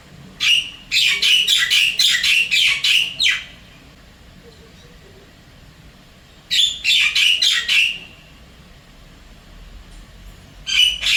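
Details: Javan myna, wild, at a Singapore apartment calling its partner: two fast bursts of harsh, chattering squawks, about eight notes each, separated by a few seconds of near silence, with a third burst starting at the end.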